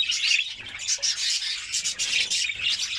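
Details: Rapid scratchy trill from a white canary, steady and high-pitched, sung as training song to rouse hens for mating.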